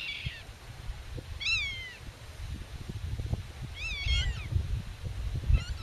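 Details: Black-tailed godwit (Limosa limosa) defending its nest and territory against intruders and calling to chicks hidden in the grass gives nasal, downward-slurring calls, singly and in a quick double, every second or two over a steady low wind rumble.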